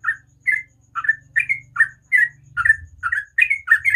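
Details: Sooty-headed bulbul singing a ropel-style song in the morning: short, bright, slurred notes repeated about twice a second in a steady chatter, over a faint low hum.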